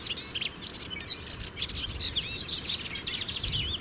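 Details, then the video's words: Melodious warbler in the Brenne, France, singing from a shrub top by its territory; a fast, continuous babbling warble of high twittering and slurred notes without pause. "Heldere zang van een orpheusspotvogel"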